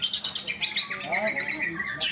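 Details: Greater green leafbirds competing at a bird-singing contest in Malinau, North Kalimantan, Indonesia: quick warbled whistles and rising and falling slurred notes from several caged birds, with a man speaking briefly nearby.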